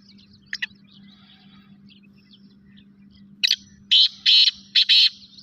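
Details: A kala teetar, or Black francolin, calls a harsh, rasping phrase of four or five loud, grating notes near the end after faint scattered chips, all over a constant low hum.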